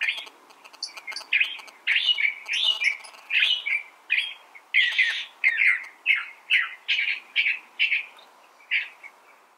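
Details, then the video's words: Long run of California thrasher song: loud, scratchy, varied syllables repeated in a steady stream about every half second, mixing harsh chatter with clearer whistled notes. "California Thrasher Bird Sound"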